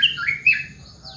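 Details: Yellow-vented bulbul in the morning giving a short burst of two loud, gurgling, warbled notes, followed by softer trailing tones.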